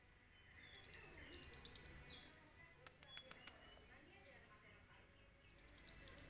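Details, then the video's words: Sunbird kept as a caged pet, recorded live for use as a master song for songbirds, singing a song filled with cililin phrases: a bright, fast rattling trill of about 1.5 seconds, a quiet gap with faint ticks, then another trill. "MASTERAN asli KOLIBRI NINJA GACOR||isian full Nembak CILILIN ||Suara nyaring bersih durasi panjang"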